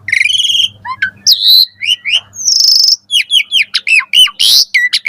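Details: Asian pied starling singing in the morning, a recording for training caged birds: buzzy chatter, whistled slurs and a harsh rasp, then a rapid series of varied whistled notes.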